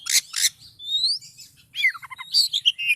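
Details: Oriental magpie-robin singing in a highly agitated, excited state, in the loud 'gacor' style. Two harsh, scratchy bursts open, then a clear rising whistle. A run of quick, varied chirps, twitters and short whistles follows, over a faint low hum.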